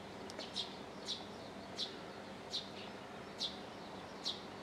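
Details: Morning birdsong from Japan: a run of crisp, high, clipped chirps roughly every half to one second, with soft hiss behind.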